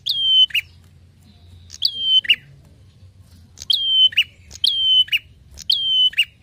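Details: Repeated Prinia phrases recorded to train songbirds, each a short high whistle with a buzzy drop at the end, delivered in a loose series with a pause near the middle.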